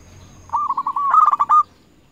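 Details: Local zebra dove kept as a frequent-singing lure bird, calling rivals: a single phrase of soft, rolling cooing notes that speed into a quick stuttering burst and end on one longer held coo. The background is quiet.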